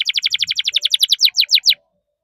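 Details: Canary delivering a rapid, even trill of bright chirped notes, gradually slowing over under two seconds before stopping.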